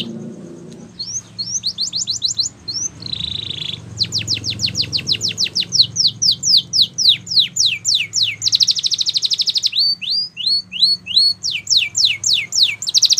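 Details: Canary song used for training, opening softly over low background rumble, then building into fast descending sweeps, a buzzy sustained roll, rising slurred whistles and more rapid sweeping phrases.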